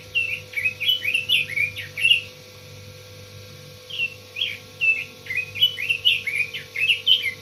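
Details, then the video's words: Red-billed leiothrix singing: two bursts of rapid, bright warbling notes, each phrase a quick run of rising and falling fluty slurs with faint thin high tinkles above, separated by a two-second pause; a low steady hum underneath. "Suara burung robin"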